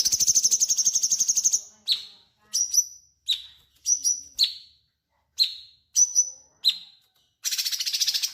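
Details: Cucak cungkok bulbul in full song, kept as tutor material for magpie robins: opens with a quick buzzy trill, then a string of sharp, falling whistles at irregular spacing, ending in another chattering burst.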